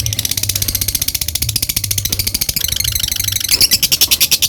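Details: Lovebird giving its long ngekek chatter: rapid, harsh, high rasping notes repeated about two or three per second, growing brighter and louder near the end, over a low humming background.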